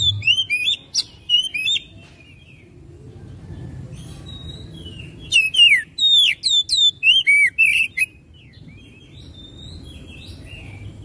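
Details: Oriental magpie-robin song used as a lure to stimulate another bird to sing: two bursts of sharp, slurred whistles and buzzy notes, rising and falling, with a quiet pause between them and low background rumble.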